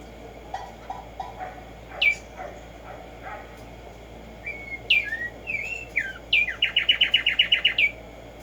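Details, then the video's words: A Black-striped sparrow (Arremonops conirostris) sings in the morning: a few soft low notes, then sliding whistles, ending in a fast, even trill of about ten bright notes. "HACER TRINAR a Tumba Yegua Audio para estimular el CANTO a estas bellas aves"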